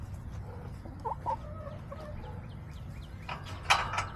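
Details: Backyard chickens recorded on July 17, 2024: a few short soft clucks, then a louder harsh squawk near the end over a steady low background hum.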